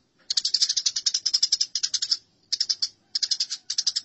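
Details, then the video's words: Harsh, fast-repeated chirps from house sparrows in a fight, recorded as training material for songbirds. A long rattling run of notes breaks into three shorter clusters, with brief silences between them. "Masteran Gereja Tarung || Gereja Tarung"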